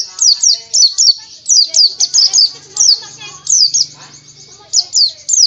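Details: Pleci, a white-eye, giving rapid, high, sharply down-slurred chirps repeated in quick clusters, with faint voices and low background sounds in the pauses.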